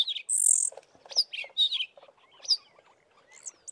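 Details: At least four Fiscal flycatchers singing with tails fanned in a valley near Committees Drift: a jumble of high, thin chirps and short scratchy warbled phrases, overlapping in quick bursts, with a little mimicry resembling sparrow chirps.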